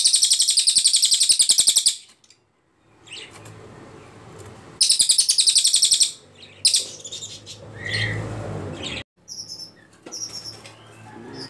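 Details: Cililin, the ashy tailorbird, in a tutor recording for training shamas, leafbirds and magpie-robins: a long burst of fast, evenly pulsed high notes lasting two seconds, a pause, a second burst, then softer scattered chirps and a low hum.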